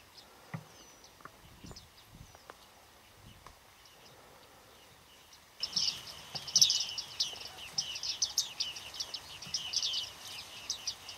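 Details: Autumn flock of bearded reedlings at Flamingo Lake in Azerbaijan's Shirvan National Park, 8 November 2013: after several quiet seconds a dense, overlapping chatter of high metallic pings and twitters suddenly starts and continues to the end.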